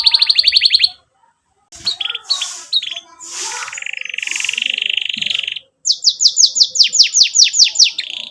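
Canary song in fast bright phrases: rapid trills near the top of the range, a long sustained rolling trill, then a run of about a dozen quick descending chips.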